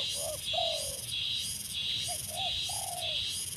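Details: Newly acquired spotted dove, trained to call readily from a branch as a decoy bird, gives short, low, hooting coo notes in two phrases over a loud, steady, pulsing chorus of crickets.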